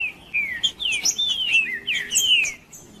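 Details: Rufous-bellied thrush, singing to warm up and provoke rivals, delivers a continuous run of clear whistled slurred phrases, mostly descending, with a few high thin notes woven through across three seconds.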